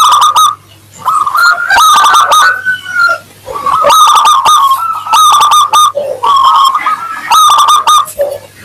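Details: Local zebra dove singing steadily with a clear, crystal tone, used to make other doves respond quickly: repeated phrases of sharp ringing notes over rolling coo trills, about one phrase per second, with a steady low hum.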